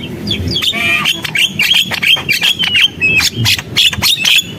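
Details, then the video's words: Busy Javan myna song. Harsh squawks lead into a string of short bent whistles and clicks, fast and uneven, about three notes a second. "JALAK KEBO GACOR, SUARA JALAK KEBO"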